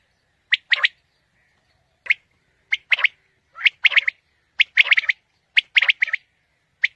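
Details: Quail call played for morning quail hunting: bright, high, clipped three-note phrases, one short note then a rapid pair, repeated about every second with brief irregular pauses.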